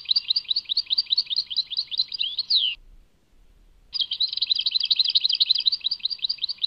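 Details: European goldfinch Tadmait song: steady rising chirps in quick succession end in a falling slur, then after a one-second gap a denser, faster twittering stretch follows.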